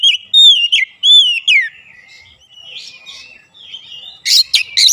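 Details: White-rumped shama, a recording for coaxing a silent bird into song: clear looping whistles repeated in quick succession, a softer warbled passage, then harsh rapid scratchy notes at the end.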